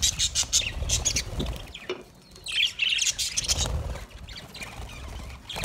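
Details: Budgerigar parrots call in quick high chirping bursts, scratchy and warbling, with a lull in the middle and low background rumble.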